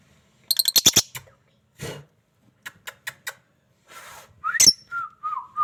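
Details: Pet lovebird, a parrot, giving sharp high chirps in quick bursts, then a squawk and a short falling whistle, with gaps of quiet between calls indoors.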